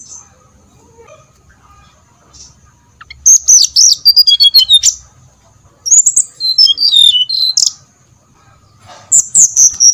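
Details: Brown-chested jungle flycatcher song used as a lure to make other birds sing: bursts of high, sweet whistles that slide and fall in pitch, delivered in phrases of about two seconds separated by short pauses.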